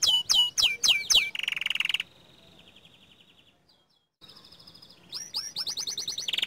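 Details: Song of an active young canary. Sharp descending sweeps lead into a buzzy rolling trill that fades into a brief pause. Then a steady high whistled trill begins and speeds into quick bright notes.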